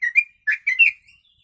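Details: Trucuk, the yellow-vented bulbul, with kutilang phrases worked into its song, a recording meant for teaching other birds; three brief liquid, warbling notes rising and falling, then a thin fading whistle, otherwise silent.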